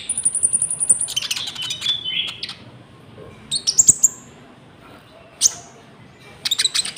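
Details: Konin (golden-bellied gerygone) lure song for trapping and training caged birds: an opening high rapid trill, falling buzzy notes, then scattered sharp chips and short high phrases between quiet gaps.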